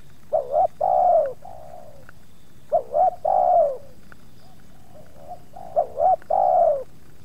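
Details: Spotted dove cooing in one yard as two wild doves come close, with some resistance from the second; three phrases of quick hooked notes ending in a drawn-out descending coo, softer distant coos in between.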